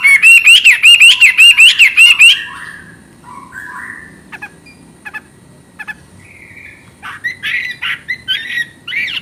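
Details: Chinese hwamei opening with about a dozen loud, evenly spaced, ringing whistled notes in two seconds. Quieter scattered notes and short chattering phrases follow, then louder whistled bursts near the end.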